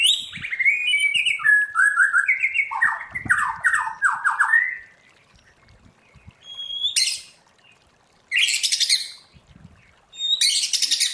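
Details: White-rumped shama kept in captivity and trained in the forest-voice song: varied whistles and descending buzzy notes, then pauses broken by bursts of high, harsh rasping notes; soft low thuds underneath.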